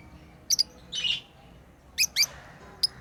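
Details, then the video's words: Pet lovebirds at play give clipped, high paired chirps with a short buzzy squawk between them, then a few more sharp single tweets. "Lovebirds playing & Chirping sounds"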